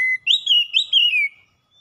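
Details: Oriental magpie-robin, a reluctant singer now singing freely: a brief flat whistle followed by a wavering run of looping, fluty notes that slides gradually downward.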